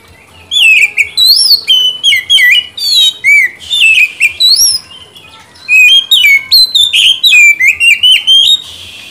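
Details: An Oriental Magpie-robin sings a rich, fast medley of clear whistles, slurred rising and falling notes and sharp chirps in quick bursts, with brief pauses. The recording is used as a lure and therapy for silent birds.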